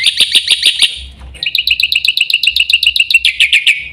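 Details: Black-winged myna chattering in quick, bright bursts. A short run of loud notes is followed by a brief gap, then a longer, fast series of ringing chirps with faint low background noise.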